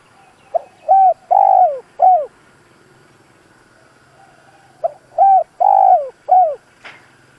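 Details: Caged decoy spotted dove calling to draw out wild doves: two phrases of deep, round coos, each with a long central note and falling last notes, separated by a few seconds of quiet.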